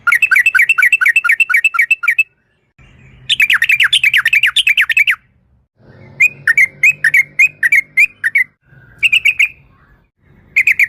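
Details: Yellow-vented bulbul in a long 'ropel' run used as a lure to make other birds sing: fast, rolling chatters of bouncing notes in two-second bursts, with a quiet low rumble between phrases.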